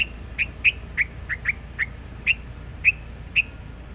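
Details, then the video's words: A white laughingthrush, a decoy bird out in the forest singing nonstop, gives short, bright whistled notes, about nine in four seconds at an uneven pace, over a faint steady high hum. "chim hoành hoạch trắng hót cực sung"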